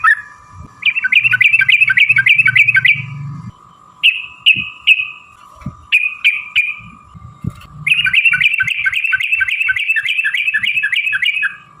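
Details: Trucukan giving a long rapid chattering song (ropel panjang) used to prompt other birds to answer: a fast trill of bright notes, a few spaced falling chirps, then another sustained rapid chatter, with low rumbling background noise.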